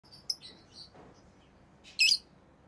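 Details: Rosy-faced lovebirds, orange-faced green and red-headed green forms, chirping: a short sharp high chirp, then a louder, denser burst of high-pitched chirping about two seconds later, in a quiet room.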